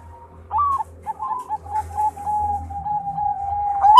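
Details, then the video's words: Champion Bangkok zebra dove in lively song: a rising, wavering note, then several short coos that settle into a long, even whistled tone ending on a sharp upward lift. "Perkutut Bangkok Gacor Sang Juara"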